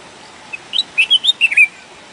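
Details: A red-whiskered bulbul sings one brisk, melodious phrase, naturally recorded: a short grace note, then a run of rounded whistled notes rising and falling, ending on a slurred note, with faint hiss.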